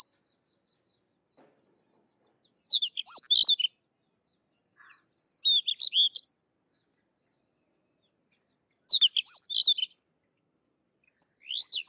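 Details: Sykes's lark singing: short bursts of high, twittering, warbled notes with quick slurred whistles, each phrase under a second, repeated every three seconds or so against a silent background.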